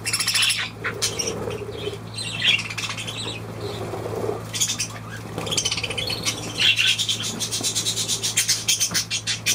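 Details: Budgerigar chirping and squawking in quick, sharp bursts over nearly ten seconds, with rapid flutter-like trains near the end, soft wing flapping and a low, steady electrical hum underneath.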